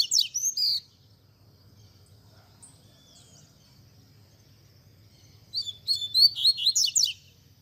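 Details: Teaching song of a double-collared seedeater in Tui Tui Zel Zel style: a short run of sharp, high whistled notes, a long near-silent gap over a soft low hum, then a longer jumbled series of quick rising and falling notes.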